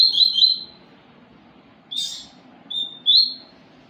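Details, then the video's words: Papa-capim seedeater giving a short bright warble, a pause, then a buzzy burst and two clear high whistled chirps, the last one slurring upward. "papa capim"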